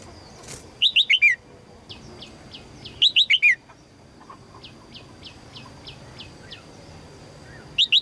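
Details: Red-whiskered bulbul female calling to attract a strong male, giving repeated bursts of four quick, falling chirps. Series of faint, evenly spaced high ticks fill the gaps, along with a steady thin whine.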